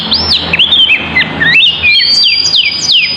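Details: Magpie-robin of the poci type singing as a lure for other birds: clear whistled notes sliding downward and upward, then a few bright, high slurred phrases repeated near the end.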